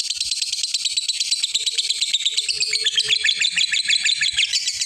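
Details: Long ngekek chatter of a lovebird calling out to a rival, a recording for luring other lovebirds into song; unbroken fast rattling high chatter of closely packed notes, with faint low bumps in the background.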